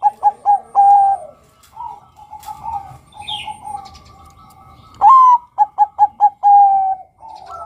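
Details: Male zebra dove of the Bangkok type, calling to lure other males. It opens with the end of one phrase of clipped coos and a long note, then quieter cooing, then a second phrase: a rising note, rapid staccato coos and a sustained falling coo.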